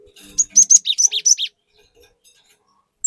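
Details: Cinereous tit bursting into song as a lure for raw birds: one rapid run of about seven loud high whistled and slurred notes lasting a second, then quiet.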